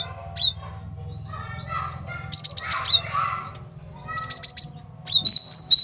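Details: Male cinereous tit used as a training and trapping master song: scattered thin whistles, then two quick runs of four sharp high chips, ending in a bright jangling warble over a faint low hum.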